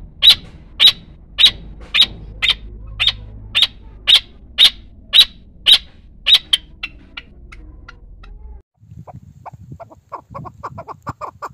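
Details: Arabian partridge uttering a regular series of abrupt chuck notes, roughly two per second, that fade after about eight seconds and are followed by faint, softer chattering.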